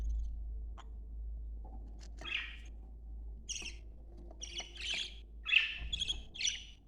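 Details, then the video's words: Male and female budgerigars making a breeding-stimulation chatter: short squawky, buzzy bursts and brief chirps, sparse at first and then packed densely in the last two seconds, over a steady low hum. "صوت تهييج#طيور البادجي للتزاوج"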